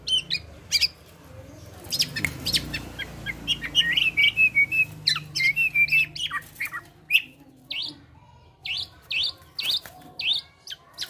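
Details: Male black-naped oriole singing actively and imitating other birds: scattered sharp chirps, then a burst of rapid clipped notes with wavering whistles, followed by evenly spaced upward-flicked chirps.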